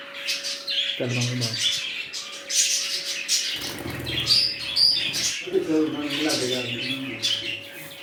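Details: Newly set up budgerigar colony chattering busily with high squeaky chirps and warbles, while a person speaks briefly several times at a lower pitch, over a steady faint hum.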